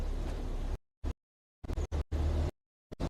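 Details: Broadband rumbling noise, like a vehicle or wind on a microphone, broken by abrupt silent gaps, with no animal sound.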